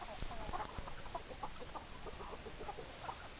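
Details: Hens clucking in a steady series of brief, evenly spaced notes, about three per second, with a few low thumps early on against a faint noisy background.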